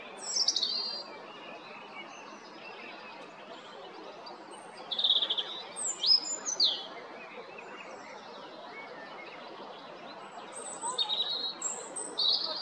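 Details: European robin singing in spring at Jarun, Zagreb, Croatia, 13 April 2022; several separate high, thin, varied phrases of whistles and quick trills spaced a few seconds apart, with steady low background noise.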